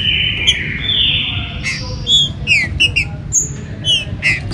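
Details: Green-winged saltator (trinca-ferro) singing in a warm-up recording played to stimulate captive birds for the 2022 season; a long steady whistle followed by short, clear whistled notes and quick rising slurs, over low background hum.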